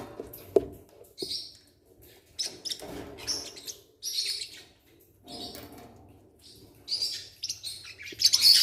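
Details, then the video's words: Baby Forpus parrotlets, newly hatched, give repeated bursts of high, wheezy, rasping begging chirps separated by brief pauses, ending in a louder burst. "New born baby parrots are being cute forpus parrot bird"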